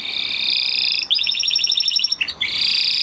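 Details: Continuous buzzy trill from a Spanish Timbrado canary, broken midway by a bubbling, pulsed phrase before the steady trill resumes. A faint background hiss runs underneath.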